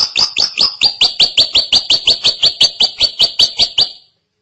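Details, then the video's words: Drongo singing energetically, a steady series of about seventeen sharp, high, downslurred whistled notes, roughly four each second, ending abruptly. "Suara asli burung Srigunting gacor panjang"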